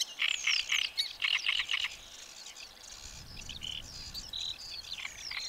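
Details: Loud great reed warbler strophe in reedbed habitat, three rapid bursts of grating repeated syllables, followed by softer varied chirps and whistles from other birds.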